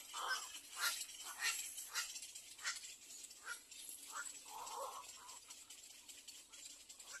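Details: Hungry little egret chicks begging in the nest: harsh, scratchy cries in short irregular bursts, some with clearer tonal notes, heard over steady background hiss.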